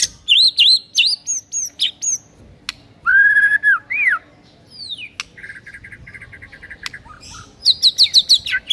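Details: Varied white-rumped shama master song for training silent birds: looping high whistles, a long level whistle ending in a rising slur, a falling note, then a buzzy trill and fast repeated high whistles.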